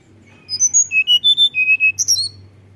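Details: Tledekan gunung singing in a lively flute-like style, used as a lure to prompt other birds to sing: a quick run of about ten pure whistled notes stepping down then jumping high, in a quiet setting.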